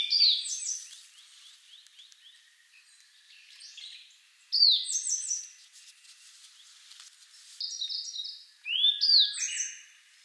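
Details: A sub-adult Grey Bunting sings at Kagami-ike pond in Togakushi, Japan, trading phrases with a Siberian Blue Robin. Bright upswept high notes lead into stacked, buzzy blocks of sound. Three separate bursts come over ten seconds, with quiet gaps between them.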